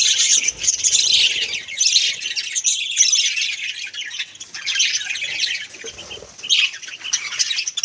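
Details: Pet budgerigars indoors give a steady stream of shrill chirps, squawky squeaks and twittering warble, several birds calling over one another throughout.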